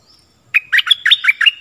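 A Stripe-throated Bulbul sings a quick run of five or six bubbly, chirping notes, about five a second, mid-high in pitch. Background is quiet.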